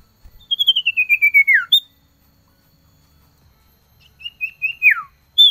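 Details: Male common iora (cipoh) in the cold season, calling a female: a rapid string of pulsed whistles gliding downward to a slurred drop, a pause, then a few level whistles and another falling slide.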